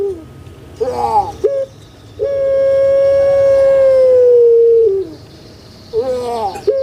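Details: Booming puter pelung, a big captive spotted dove: quavering introductory notes, then a long flat resonant note of nearly three seconds falling slightly at its end, followed by more wavering notes.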